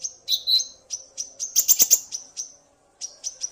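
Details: Male common iora stirred up by a female's call, the two calling back and forth; sharp high chirps and whistles in quick series, a fast clustered burst midway, short pause, then three more high notes.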